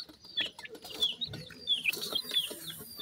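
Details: Short burst of high, piercing down-slurred peeps from feeding grey francolin chicks, roughly one to two a second, over light scratching and tapping.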